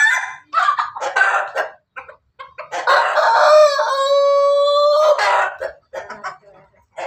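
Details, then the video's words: Ayam Ketawa Bangkok x Pelung cross chicken in Banguntapan, Jogja, about to lay: rough staccato clucks leading into a long sustained tonal note lasting about two seconds, then more choppy clucks. "Ayam hasil persilangan ketawa Bangkok pelung berkokok mau bertelur"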